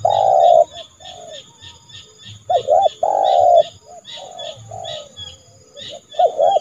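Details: Spotted dove used as a trained decoy to call a rival into the yard for trapping, January; mellow coos of varying length, one long note and hooked short notes, over rapid high chirping of another bird throughout.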